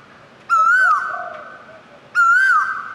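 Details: Asian koel song: a pair of ringing whistled notes about one and a half seconds apart, each gently rising then falling, followed by a lingering echo.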